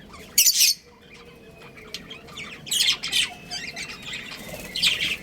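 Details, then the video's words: Budgerigars from a breeding pair give loud, raspy squawks, one harsh burst early and then a run of scratchy chirps and chatter toward the end, with quiet room noise between. "Adorable Budgies Chirping Sounds"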